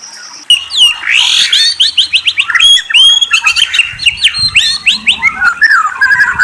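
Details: White-rumped shama in full song, loud rapid series of bright slurred whistles and trills, each note sweeping quickly, with a dense burst near the start and a softer warbled ending.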